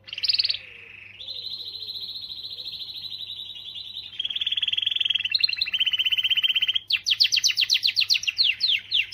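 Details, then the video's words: Canary singing to encourage females: a short warbled note, long steady rolling trills shifting between pitches, then a burst of fast sharply descending whistled notes; faint soft chirps at the start. "تغريدة قوية من الكناري لتحفيز .. The strongest tweet from the canary to motivate"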